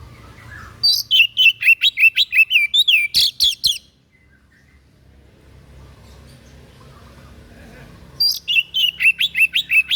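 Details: Unusual song of a white-breasted bird, offered for tutoring other birds: a fast run of sharp repeated high chirps lasting about three seconds, silence with low hum, then another burst of quick whistled notes.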